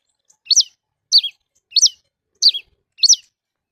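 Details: Song of a red-cowled cardinal directed at a free bird: five bright, high notes, each dropping quickly in pitch, spaced evenly about half a second apart in otherwise quiet surroundings.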